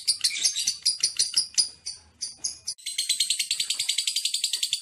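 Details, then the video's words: Lovebird song: rapid high chattering notes that shift after about three seconds into a fast, even string of shrill chirps. "3 LOVE BIRD THE SPECIAL ONE,DURASI 1,3,7 DETIK"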